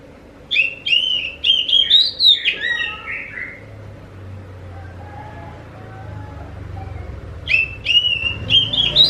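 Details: Oriental magpie-robin singing to lure others of its kind into replying: a burst of quick, bright whistled notes and downward slurs, several seconds of near quiet with a low rumble, then a fresh phrase of sharp whistles.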